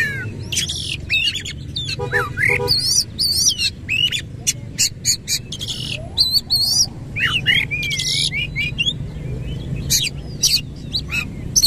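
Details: Oriental magpie-robin in full song with rough imitative fill-in phrases and tail spread: long stream of fast chirps, wavering whistles and scratchy trills, brief low stuttering notes near the start, constant low hum.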